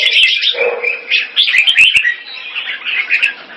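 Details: Red-whiskered bulbul, a caged bird in Singapore, calling keke on command: a quick run of bright, chattering warbled notes packed closely together, with a short lower murmur near the start.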